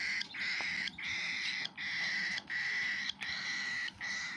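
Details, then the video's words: Cockatiel baby eating, calling in drawn-out, grating rasps, each under a second, repeated back to back with tiny breaks in an even rhythm. "Cockatiel baby bird is eating food"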